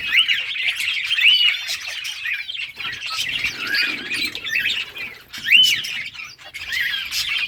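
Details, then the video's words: Budgerigars chattering during summer breeding, playing together: a steady flock warble of rapid squeaky notes, with a few clearer rising-falling whistles standing out. "budgies beautiful colors playing and chirping budgies breeding progress in summer"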